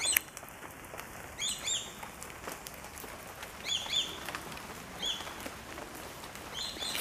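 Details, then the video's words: A flock of swallow-tailed kites vocalizing in flight; thin, high, descending whistles in short paired or tripled bursts spaced every second or so, with background hiss and a faint steady tone. "Swallow Tailed Kites Vocalizing While In Flight"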